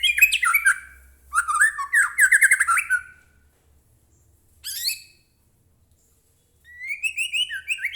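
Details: Energetic White-rumped shama song meant to make a captive bird sing in reply: dense chattering phrases with sharp rising notes, a brief isolated burst, then a rising series of whistled notes after a pause.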